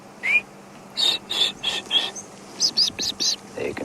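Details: Blue waxbills at Djuma/Arathusa, Africa, on a quiet, cloudy afternoon sunset drive with wind, give about eight thin, high, slightly rising tsee notes in quick succession; faint low hum and a brief human voice at the end.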